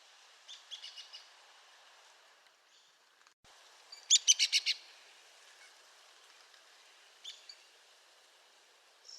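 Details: Arizona woodpecker uttering scattered sharp notes, then a quick burst of five loud, harsh notes run together near the middle, followed by more sparse single notes.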